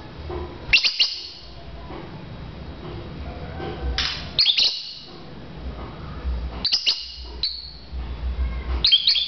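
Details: Lovebirds in a bird-to-bird chirping contest give bursts of sharp, high, shrill chirps in clusters every couple of seconds, with a low background hum between bursts.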